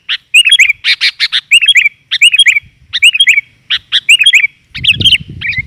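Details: Lure call of a female sooty-headed bulbul meant to attract males: repeated phrases of a few harsh chips followed by a bubbly slurred whistle, roughly every second, with a low thump near the end.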